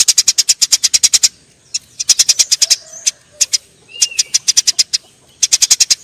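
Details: Quarrelling Eurasian tree sparrows: a long fast run of sharp high chirps opens, followed by scattered single notes and shorter chirping bursts, with a soft upslurred whistle midway.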